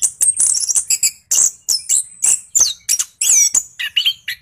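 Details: Orange-headed thrush in energetic 'gacor' rolling song used as a provoking lure. Bursts of harsh, buzzy high notes alternate with thin slurred whistles in fast, clipped phrases.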